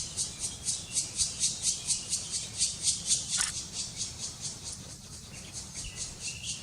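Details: Black woodpecker nestlings fed at the nest, Kras-Karst, Slovenia, May 2018, giving a continuous pulsing series of scratchy high begging rasps, roughly two a second, fading slightly toward the end.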